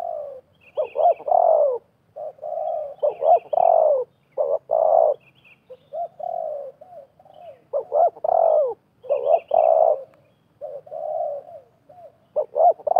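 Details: Wild spotted dove and a captive decoy dove calling against each other during dove trapping in 2024; repeated low, mellow coos, with a short stutter then a longer drawn-out note, in bursts across the recording.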